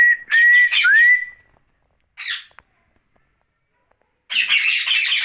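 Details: Pet rose-ringed parakeet at night giving a few clear rising whistles over scratchy notes, a lone squawk after a pause, then a final burst of harsh calls.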